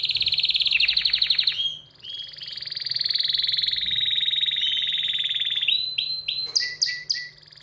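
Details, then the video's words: Excited canary song: a fast rattling trill gives way to a long, sustained high rolling trill lasting several seconds, then broken sharp chirps and whistles at the end, with a low hum underneath. "تغريد كناري هائج"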